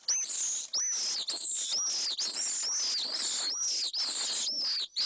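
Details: Pallid swift in a nest box at Jerez de la Frontera, Spain, with the male driving out an intruder from the nest with a freshly laid egg; an unbroken stream of harsh, shrill screams with short downward-hooked notes.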